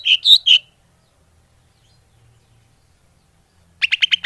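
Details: Lure call of the greater green leafbird for attracting wild birds: three loud, ringing chirps, a long quiet gap, then a quick burst of four or five short notes.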